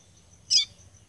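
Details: Female caboclinho seedeater in Rio Grande do Norte, Brazil, caatinga, calling to warm up singing: a single short, sharp high chirp with a quick downward sweep, over a faint steady high hiss.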